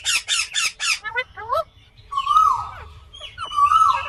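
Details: Indian green ringneck parakeet gives four fast shrill squawks, then turns to softer, lower warbling chatter with drawn-out nasal notes.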